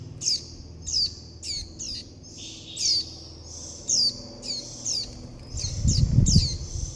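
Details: Young warbling white-eyes call their mother and flock and beg for food. Eleven piercing, downward-sliding squeaks follow in quick succession, and a brief low rumbling thump is heard near the end.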